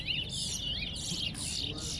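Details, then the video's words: At a Soesdyke, Guyana towa towa contest, a Chestnut-bellied seed finch sings sliding, whistled notes broken by several sharp noise bursts, over a quiet low hum. "TOWA TOWA BIRD COMPETITION AT SOESDYKE GUYANA"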